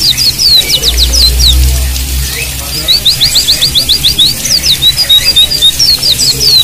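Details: White-eye song set over flowing water, meant to coax silent caged birds into singing: rapid high thin chirps in fast bursts, against steady water hiss and a brief low hum.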